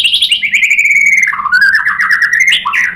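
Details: White-rumped shama singing a lure meant to provoke rival shamas: a continuous rich warble of sliding whistled phrases, dipping lower midway, then rising again into varied twittering notes.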